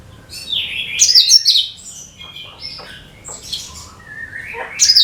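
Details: Cucak kinoi bulbul singing as a lure for other birds: bright, jumbled high phrases rising and falling, a few quiet clicks, and a loud rising flourish at the end.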